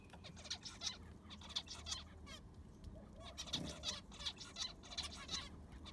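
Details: Zebra finches in an aviary during cleaning with fresh sand: a flock of short, nasal, honking beeps in quick, irregular bursts, several birds overlapping, over a steady low hum.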